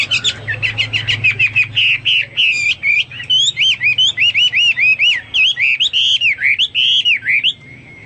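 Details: Hwamei singing vigorously, used as a tutor recording for pet songbirds: rapid high chattering notes, then a long string of loud, clear, looping whistles that bend up and down, with a low steady hum beneath.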